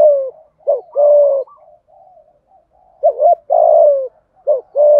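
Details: Thúc gù cooing and calling by a spotted dove in the hạp bổi voice: three loud, deep coo phrases, each a short hiccup note followed by a long, even hoot, with soft murmurs between.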